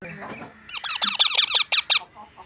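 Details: Pet parrot that talks, saying 'mummy' and 'papa': after a person speaks briefly, it gives seven quick, nasal, harmonic calls, each dipping in pitch, at about five per second, then quiet.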